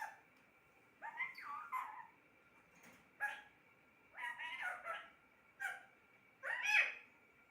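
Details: Talking parrot kept as a pet gives a series of short, scratchy speech-like calls and words, each about half a second long, with gaps between, over a faint electrical hum.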